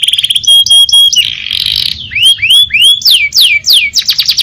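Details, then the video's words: Canary singing in the kenari gacor ngerol nembak style opens with a clipped repeated whistle and a burst of harsh buzz, then sweeping downslurred whistles and a final fast trill. "KENARI GACOR NGEROL NEMBAK | CANARY SINGING"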